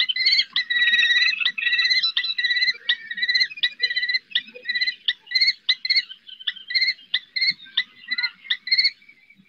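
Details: Common kestrel female urging her young on its first flights from a roof, Riet Vell reserve, Ebro Delta, Spain; a long, insistent series of shrill harmonic whines, at first longer, later shorter and more spaced.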